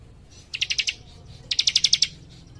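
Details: Cikrak, a young leaf warbler, singing in close-set bursts: a short run of four sharp ticking notes, a brief pause, then a faster run of about seven, all high and crisp.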